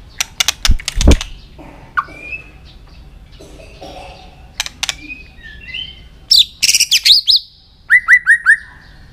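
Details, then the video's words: A White-rumped shama sings a varied, many-voiced training song meant to excite other shamas: dry clicking bursts, then scattered whistled slurs, a burst of dense high notes, and a closing run of four falling whistles. "Chòe Lửa Hót Nhiều Giọng, Luyện Chòe Lửa Hót Căng"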